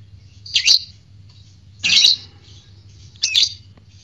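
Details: Lovebird calls used to stimulate arousal and ngekek singing: three rough, shrill squawks repeated steadily about every one and a third seconds, each burst short and grating, over faint low hum.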